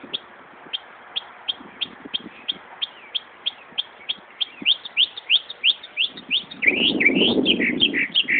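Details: Car-alarm mimicry by a Northern mockingbird at Buckland Park in Brighton, New York. Evenly spaced sharp chirps come about three per second, then speed into rising, slurred notes over a burst of low background noise.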